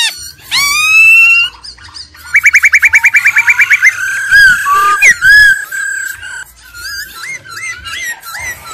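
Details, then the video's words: Laughingthrush song: loud, varied whistles and slurred notes, a fast rattling trill of about a dozen quick notes, and a soft rolling trill from a female. "GIỌNG KHƯỚU già rừng, kích bổi căng lửa, khướu mái ro ro"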